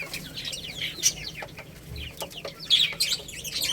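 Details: Chicks feeding on rice with a jumble of high cheeps and quick downward-slurred chirps. Crisp pecking taps come and go, and a louder burst of peeping arrives near the end.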